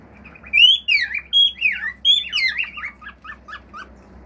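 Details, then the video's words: Male pet cockatiel song mixing natural notes and imitations: a loud sequence of swooping whistled phrases rising and falling, followed by a quick series of short chirped notes, faint low hum behind. "CALOPSITA MACHO CANTANDO CANTOS NATURAIS, FIU-FIU, ESTALINHOS ENTRE OUTROS"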